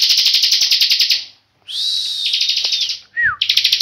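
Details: Bar-winged prinia, a tame kept bird, in nonstop ngebren singing: a long dense buzzy trill, a pause, then a whistled rising-level note running into more rapid trilling, and a quick descending slur before the trill resumes.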